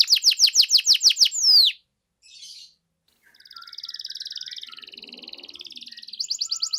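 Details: Canary singing to stir a silent canary into reply: a quick run of repeated chirps ending in a falling whistle, a short pause, then a long low buzzy roll and a brief fast trill.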